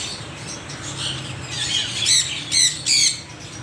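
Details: Parrots chattering softly at first, then three loud, harsh, arching squawks in quick succession near the end over a low hum.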